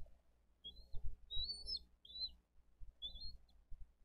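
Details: High chirping whistles at a bald eagle nest in Dade County, 22 April 2023, while adults deliver fish and feed the eaglets. Brief slurred notes come in two short bursts, with wind buffeting low underneath.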